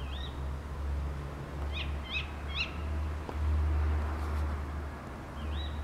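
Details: Tawny owls calling in the early morning of 28 November 2011 from a back garden in Beek-Ubbergen, Netherlands: sharp, high, hooked 'kewick' notes, one at the start, a quick run of three midway and one at the end, over a low rumble.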